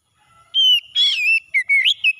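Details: Morning song of an oriental magpie-robin for stressed birds: a pure steady whistle, then a rough buzzy note, then several short rising and falling whistles.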